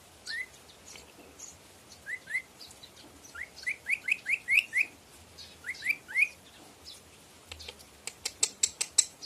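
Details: A Red lory (Eos bornea) gives short, sharp upslurred chirps, singly and in quick runs of three to five, ending in a burst of rapid clicking notes.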